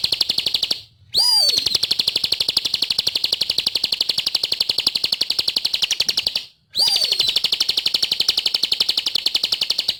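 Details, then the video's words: Bar-winged prinia, a bird kept for song training, delivering long rattling series of high, rapid ticks near four per second, each begun with a swooping whistle and split by a single short gap. "Suara Burung | Ciblek Gacor"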